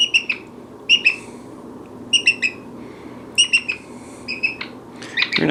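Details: A pet brown-headed parrot (Poicephalus cryptoxanthus) in a chatty mood gives quick clusters of two or three sharp, high whistled chirps, about one a second, over a low indoor hum, ending in a scrape.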